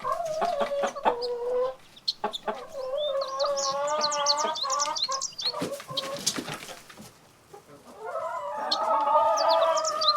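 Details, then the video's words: Rooster among chickens and rabbits foraging in the grass: scattered clucks open, then a long, steady, nasal crow note held about two seconds, wing sounds and clucks, and another sustained crow near the end. "Rooster crowing sound"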